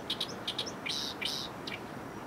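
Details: Oriental reed warbler by the Arakawa River waterside in downtown Tokyo, Japan, where several sing noisily day after day; harsh, grating chattering notes in quick pairs and short buzzy bursts, over steady low background rumble.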